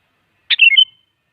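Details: Sooty-headed bulbul, an energetic singer used as a lure to make other bulbuls answer: one short bubbly phrase opening with a sharp note, then slurred whistled notes falling and rising, ending in a thin trailing whistle.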